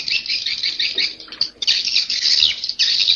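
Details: Swiftlet roosting call, the Inap Ababil style: dense, buzzy, high twittering chirps run almost continuously, with a brief dip in the middle and a fresh burst near the end.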